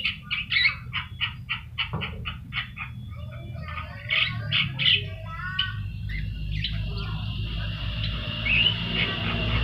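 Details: Javan myna (jalak kebo, yellow-eyed form) song used as a training master recording: a run of rapid clipped chattering notes, then harsh squeaky phrases and a thin sustained whistle over a low background hum.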